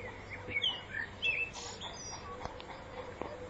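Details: Common blackbird in spring 2014, giving a brief burst of fluty, wavering whistles that end in a high squeaky flourish, followed by quieter scattered notes over a soft background hiss.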